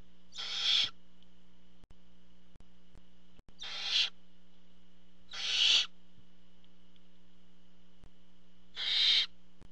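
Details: Barn owls at a nest box while the parent brings food; four long, harsh, swelling hissing screeches spaced about one and a half to three seconds apart over a quiet low hum.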